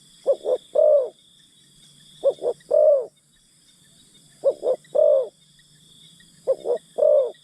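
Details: Decoy spotted dove calling to attract wild birds: a repeated low coo phrase, short-short-long, heard four times at about two-second intervals, with a continuous high insect drone behind.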